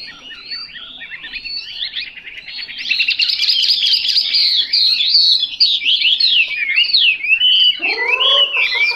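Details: Song of a Chinese hwamei: a quieter opening of scratchy notes builds into loud, rapid trills and wavering whistles, ending with a few deeper, downward-sweeping notes.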